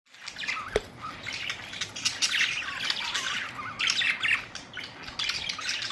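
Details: Budgerigars, colourful parrots, recorded April 19, 2023, giving a busy flock chatter of rapid squawks, chirps and warbling notes, dense and overlapping, with louder bursts around the middle and near the end.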